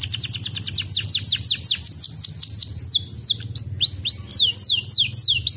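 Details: Canary song of bright, high, downward-sweeping whistles repeated in quick succession, with a faint low hum in the background.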